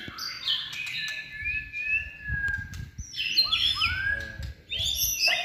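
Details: White-rumped shama, a caged bird trained for singing contests and in its third season, performing contest-standard song: long smooth whistles sliding downward, then a burst of rich fluting phrases and upward sweeps, over low background rumble.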